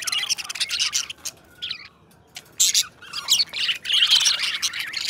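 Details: Budgie pair kept as best friends, warbling continuously with harsh, buzzy chatter and squeaky chirps, a brief lull in the middle, then louder grating phrases.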